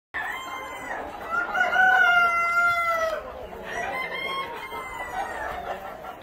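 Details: Black Copper Marans rooster on a breeding farm crowing: one long drawn-out crow with a short lead-in and a steady, sustained tail, followed by a fainter second crow. Background noise is low.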